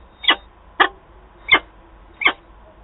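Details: Peregrine falcon in Wałbrzych, Poland, at its nest on 8 August 2022 as two birds meet: four loud, harsh, slightly drawn notes, repeated about every 0.6 seconds.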